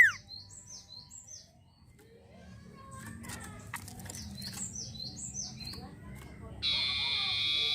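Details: Long-tailed shrike singing actively as a lure meant to stir up other birds: short bursts of quick, high down-slurred whistles, a pause with soft rustling, another burst, and a loud continuous buzz near the end.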